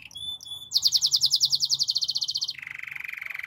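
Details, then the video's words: Canary singing a training song: two thin high whistles, then a loud rapid trill that slows and fades, dropping into a lower, softer, evenly repeated rolling tour. "Yorkshire canary singing! The best canary training song"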